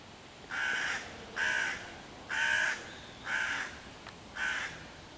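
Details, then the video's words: Hooded crow, which spotted young raccoons in a neighbouring tree and set about chasing them away, calling other crows to attack; five rasping caws, each about half a second, spaced roughly a second apart. "wrona która ich prześladuje w sąsiedztwie"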